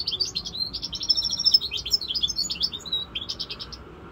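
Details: A five-month-old Corsican goldfinch mule (hybrid) sings a rapid, tinkling run of high twitters and liquid trills, with short notes tumbling quickly for about four seconds over a faint background hum.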